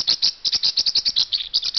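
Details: Male blue Pacific parrotlet kept in a cage he guards very protectively, calling nonstop. Rapid high, bright chirps come about eight per second in an even, scolding run.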